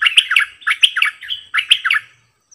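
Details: Singing decoy sooty-headed bulbul repeats cheerful, gurgling phrases in three quick groups of rich, liquid notes, with a faint low hum beneath.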